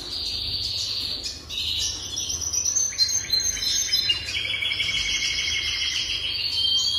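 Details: A jasper canary sings in a series of distinct trill sections: a steady high roll, then faster chattering pulses, then layered bubbling trills at two pitches, all flowing together without pause.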